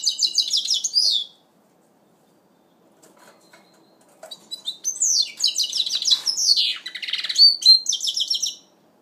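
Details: First-moult goldfinch mule, 2012: a burst of rapid bright twittering, a quiet pause, then a long, energetic song phrase mixing trills, buzzy slurs and repeated high chirps.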